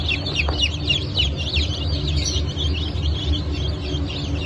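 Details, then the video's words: Newly hatched Cream Legbar and Rhode Island chicks from a hatch on 29 August 2024, many peeping at once: shrill, downward-slurred cheeps overlapping continuously over a steady low machine hum. "Yeni Çıkım 29.08.2024 – Cream Legbar,Rhode İsland"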